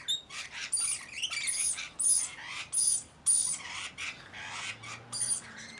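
Scarlet macaws give harsh, raucous squawks in rapid bursts, roughly one or two per second, with a faint thin whistle above them.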